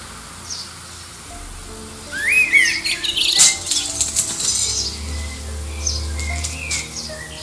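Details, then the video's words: Common blackbird near Liverpool Airport, singing in competition with distant birds to attract a mate: one rich rising warble breaking into a burst of high twitters, then softer faint notes, over a low droning rumble. "Song of the Black Bird"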